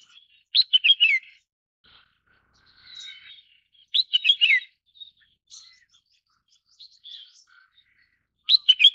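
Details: Red-whiskered bulbul (Pycnonotus jocosus), call.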